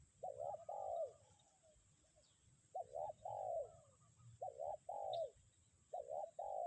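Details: Spotted dove kept as a decoy keeps up its kuk 1 coo through strong wind: clear phrases of two quick rising coos and a longer sliding-down coo, repeated four times, with little background noise.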